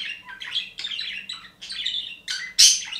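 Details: Budgerigar (Melopsittacus undulatus), warble: contentment; a happy bird singing, usually morning and sunset.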